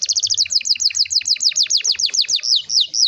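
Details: Canary with a long rolling song used to prompt young birds to sing, here a series of quick downward-sweeping high notes, about three per second at first, slowing and becoming more slurred toward the end.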